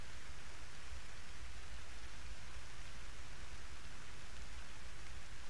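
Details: Constant hissing, like rain falling on a surface, covers the recording, and no animal call is heard.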